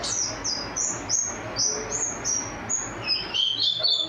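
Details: National champion white-eye with a powerful voice, its song filled with canary mimicry: a rapid stream of very high, thin whistled notes, many sliding downward, running on without pause for four seconds over faint low background hum.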